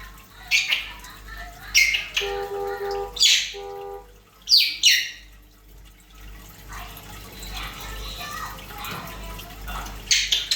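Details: African grey parrot making sounds: short harsh squawks repeated every second or two, two bursts of rapid electronic-like beeping, and scattered chatter, all indoors with a low constant hum.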